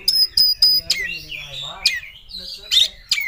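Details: Oriental magpie-robin seeking a rival: three sharp ringing notes in quick succession, then softer warbled whistles and a few scratchy calls.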